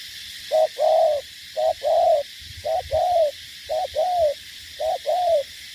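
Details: Spotted dove, a decoy bird from Cà Mau, Vietnam, used in contests against wild rivals, giving loud two-part coos, a short note then a longer falling one, repeated about once a second; steady hiss in the background.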